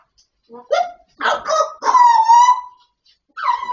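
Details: Grey parrot imitating speech: a run of short voice-like syllables, then a longer drawn-out tone with a slight dip and rise, and a final clipped phrase.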